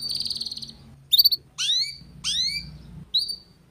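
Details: Young canary learning the twittering ngeriwik song style. A buzzy held note, then high upswept whistled notes in short bursts, with a faint low hum beneath.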